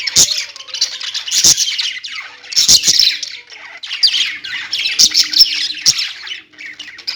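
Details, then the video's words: Several pet budgerigars keep up rolling, squeaky twitters that rise and fall in waves, punctuated by sharp clicks and short quieter gaps. "parakeet chirping sounds| budgie sounds"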